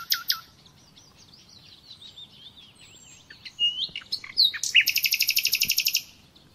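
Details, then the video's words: Common nightingale in an uninterrupted song lesson for captive birds: soft warbling and sliding whistles build up to a loud, rapid series of pulsed notes near the close. "Bülbül Sesi - Kesintisiz Ötüm Dersi ve Huylandırma -(Bulbul Song - Real Traning my record)"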